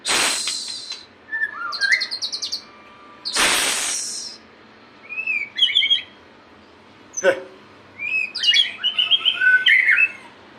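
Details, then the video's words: White-rumped shama singing lively, varied phrases of clear rising whistles and rapid trills, broken by two loud sharp knocking bangs near the start and a click midway. "murai gacor"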